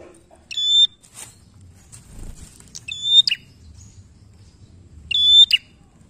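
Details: Bar-winged prinia song used to make other prinias sing: three high flat whistles, each closed by a harsh chip, about two seconds apart, with faint rustling and soft chirps between them.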